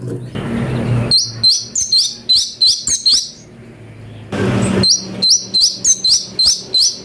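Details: Orange-bellied leafbird (cucak cungkok) song variation used to train magpie-robins: rapid series of high, sharp upslurred chirps, about three per second, interrupted by two bursts of loud broadband noise.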